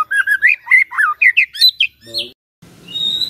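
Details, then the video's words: White-rumped shama song played in the morning to get a silent shama singing: fast run of varied whistled and warbled phrases, rising and falling, then a brief pause and a sustained high whistle over faint background noise. "Pancingan PAGI-PAGI AGAR MURAI GACOR❗sekali coba murai DIAM langsung bunyi"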